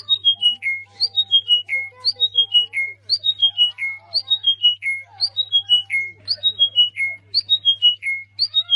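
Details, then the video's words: Bird singing a repeated squeaky phrase: four or five bright whistled notes descending stepwise to a lower sustained note, cycling roughly every second, with soft lower chirps and a constant low hum behind. "vogel quietschen. / Vogel gesang"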